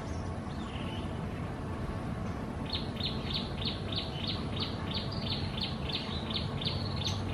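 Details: Lesser whistling ducks, a wild pair in Singapore's Gardens by the Bay: following a quiet start, a brisk, fairly even series of around sixteen sharp high whistles runs to the end over a steady low drone.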